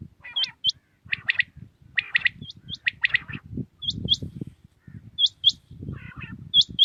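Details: In Pakistan at early morning, a common quail gives its quick three-note phrase several times, about once a second, while another bird adds high, rising hooked whistles throughout over a low rumbling background.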